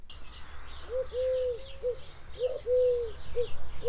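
Eurasian Collared Dove cooing a low three-note phrase, short-long-short, given twice; faint chirps of other birds behind.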